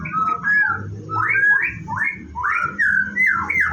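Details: Caged white-rumped shama (murai batu) at a bird farm during its morning routine before bathing; rich whistled phrases sliding between low and mid pitch, varied and continuous, over a low background rumble and household clatter.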